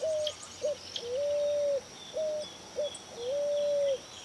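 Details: A pigeon or cuckoo gives low, pure whistled notes: a short note, a brief one, then a long flat whistle, the phrase repeated twice, with faint high insect-like hiss behind.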